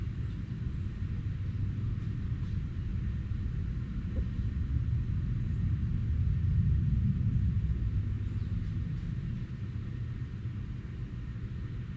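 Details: Only a steady low engine-like rumble is heard, with no animal calls.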